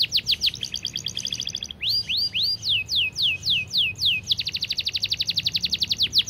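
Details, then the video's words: Canary in fast, close-packed 'gacor' tutor song: pulsed trill, then slower sweeping whistles, then a dense rapid roll of repeated notes at about four per second or faster. "Masteran Kenari Gacor Speed Rapat‼️Durasi panjang dan jernih"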